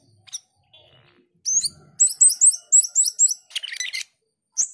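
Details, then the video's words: Male cucak keling in full, active song: rapid high chirps repeated in quick rhythmic clusters, with a harsh buzzy burst near the end; quiet surroundings. "Cucak keling jantan gacor menyusun lagu"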